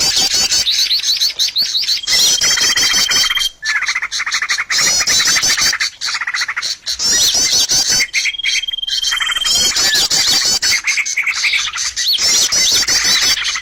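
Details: Trapping lure of bird calls: long runs of dense, fast, high twittering with twice-heard level whistles lasting over a second, punctuated by short pauses.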